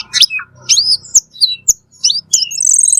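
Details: Cucak keling singing in full voice as a tutor recording for cage birds: a fast run of varied high whistles, sharp upslurred and downslurred notes and short chirps, ending in a sustained buzzy trill, with a faint low hum beneath.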